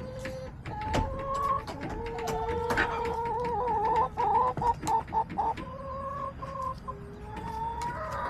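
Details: Hens in a backyard flock give a long run of tonal, wavering calls layered over one another, broken by short pulsed clucks and frequent sharp taps and pecking noises.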